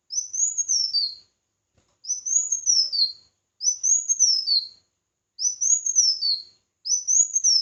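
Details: Red-whiskered bulbul singing in competition: five lilting whistled phrases, each climbing, rippling along the top and dropping lower at the close, spaced by short pauses.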